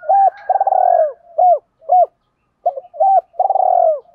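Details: Spotted doves, female and male, cooing to stimulate captive doves in training: short hooked coos alternating with longer, rough, purring rolled notes, separated by brief silences, in a quiet setting.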